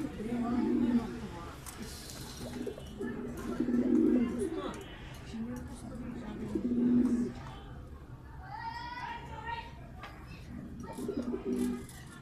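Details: A pair of pigeons perched on top of a cage give low, throaty coos, each a soft rolling burst repeated every few seconds.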